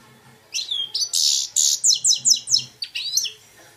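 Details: Two-year-old goldfinch x red siskin hybrid in Belfast, song described as 100% Algerian goldfinch; a dense run of high buzzy notes followed by rapid repeated chirps, about two per second, in a quiet room.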